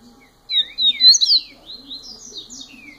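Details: Double-collared seedeater in its first year giving a fast, loud burst of high, sliding whistles and twittered slurs, followed by softer, lighter downslurred notes that trail off.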